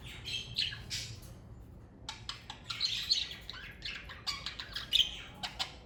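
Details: Pet budgerigars from a parakeet family give scratchy chirps and clicks. A short burst comes first, then a brief pause, then a longer run of quick chattering notes with a few sharper tweets.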